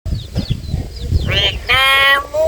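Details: A pet hill myna trained to speak Vietnamese mimics human speech with a few low, mumbled syllables, then two loud, nasal, harmonic phrases; a person's voice may also be present.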